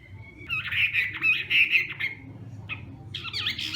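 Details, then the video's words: Hwamei morning song training, harsh, buzzy, rasping phrases mixed with a thin whistle at the start and a scratchy burst at the end, over a noticeable low background rumble. "Hoạ Mi Hót Đấu /hoạ mi hót sáng luyện giọng"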